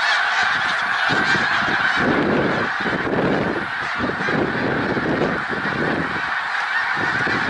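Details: Thousands of overlapping snow goose honks at Middle Creek Wildlife Refuge, Pennsylvania, 1 March 2021, a loud continuous clamour with bursts of low rushing noise coming and going.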